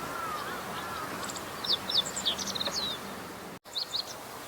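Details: Meadow bunting singing in reeds of a fallow rice field on 19 April 2021: a fast run of high chirps and sweeping notes, followed after a short break by the start of another phrase; a low whistle sounds early on.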